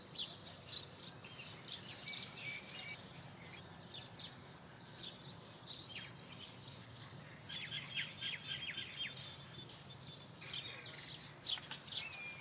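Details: House sparrow chirps mixed into a busy chorus of overlapping high twittering notes, bursts clustering around the start and again near the end, over a constant faint hiss.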